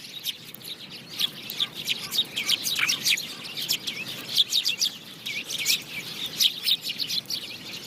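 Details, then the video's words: House sparrow chirping in a dense, continuous chatter of short high chirps, several per second, probably from more than one bird. "Sparrow chirping | goraiya sounds"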